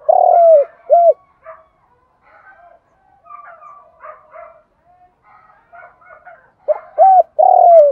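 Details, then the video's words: Morning cooing of a decoy spotted dove meant to draw in wild doves. A long coo and a short coo open the clip, then quiet chirping of other birds, before another phrase of hollow coos at the end. "Chim cu gay moi gay goi buoi sang/ tiếng chim cu gáy kích bổi hiệu quả, cu gáy, cu cườm gáy gọi"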